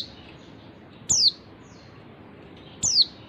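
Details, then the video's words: Two crisp, very high descending whistles from a female oriental white-eye, under two seconds apart, a call said to make males sing their full repertoire. "suara pleci betina bikin jantan bongkar isian"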